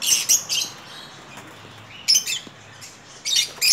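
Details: Captive lovebirds in a breeding colony setup giving shrill, high squawks and chirps in clustered bursts, several loud outbursts within a few seconds, with some wing flutter.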